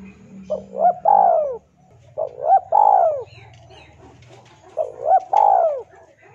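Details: Male spotted dove calling to a rival, recorded for luring: three cooing phrases about two seconds apart, each with two brief clipped notes leading into a long, falling coo, over a faint low hum.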